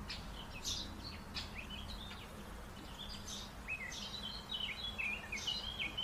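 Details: White-faced whistling duck giving a series of clear, high whistled notes, some sliding and linked into short multi-note phrases, repeated quickly over a steady low rumble of background noise.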